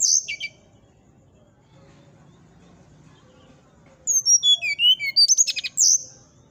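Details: Brown-chested jungle flycatcher in whistling song that reportedly provokes a neighbour's bird; a short high note cluster opens, then after quiet a lively run of sharp whistles, descending slurs and a few buzzy clicks, with faint low background hum.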